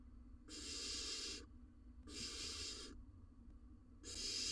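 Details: Barn owl (Tyto alba) nest box in Israel, male delivering a rodent to the nestling while the female guards; three steady, harsh hisses of about one second each, separated by short quiet gaps.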